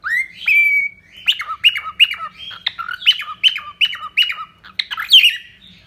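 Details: Cockatiel, a pet bird, singing a run of repeated warbled phrases: a rising whistle, then about ten quick chirpy notes with dropping squawky tails, bright and high, little background noise.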